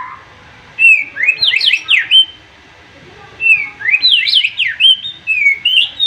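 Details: Agitated white-rumped shama, its piercing song said to make rivals answer: two clear bursts of fast rising, zigzagging whistled notes, each ending in sustained high whistles, with quiet pauses between.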